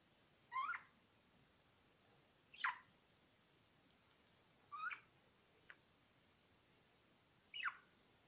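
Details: Pet budgerigars indoors repeat short warbled chirps roughly every two seconds, four calls in all, with a faint click between them.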